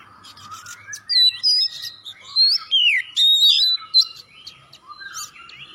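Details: Oriental magpie-robin singing to encourage other birds: several loud whistled slurs and looping notes with scattered chips, fairly clean background.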